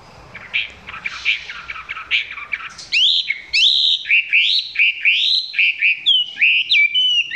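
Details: Chinese hwamei filmed close, singing below full power: soft scratchy warbles at first, then loud clear upslurred whistles delivered rapidly and repeatedly, several notes per second.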